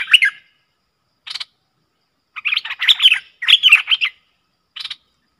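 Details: Streak-eared bulbul pair dueling fiercely in song, recorded 30 October 2021 as a lure sound: bright, bubbly chattering phrases in short bursts, a lone note near one second, a dense run of warbling notes mid-clip, then a final brief burst.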